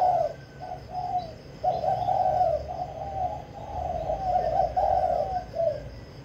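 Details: Kích bổi cooing from a caged spotted dove in Vĩnh Long, Vietnam. A long series of throaty low coos, short notes running into a drawn, quavering phrase that fades at the end, with faint chirps behind.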